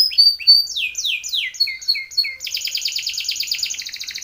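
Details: Timbrado canary training song: bright descending whistled slurs in quick succession, then a dense, fast rattling trill held for about two seconds.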